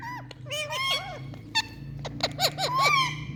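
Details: Indian parrot saying "Mithu", heard as a series of short, arched, nasal harmonic syllables, some paired and rising then falling. Brief clicks fall between them over a low steady hum indoors.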